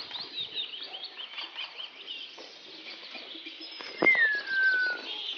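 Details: A Senegal parrot from a breeding pair gives one clear, falling whistle over a steady wash of high, twittering chatter, with soft scuffling and tapping noises.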